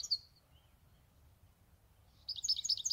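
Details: European goldfinch kept for eight years by its owner, giving a short high twitter at the start, then after a pause a quick run of bright, tinkling, high-pitched twittered notes to the end.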